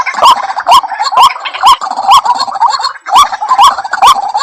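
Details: White-breasted waterhen lure sound: regular rising croaky notes roughly every half second, with harsh overtones and softer clucks between them.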